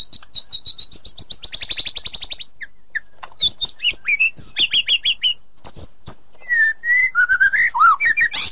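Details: White-rumped shama song, cleaned by editing, played to make a silent captive shama sing again: a steady high rattling trill, then varied quick whistles, chips and slurred phrases.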